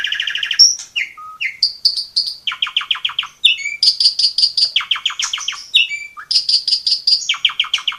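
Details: Asian pied starling delivering energetic training song for young birds: short whistles and slurs alternate with rapid repeated note bursts, several stuttering trills of five to eight notes.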